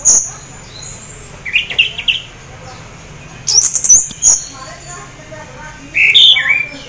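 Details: Orange-headed thrush (anis merah), half in breeding condition, singing teler style to coax other thrushes to sing: separate short phrases of buzzy chips and clear slurred whistles, with quiet gaps between them.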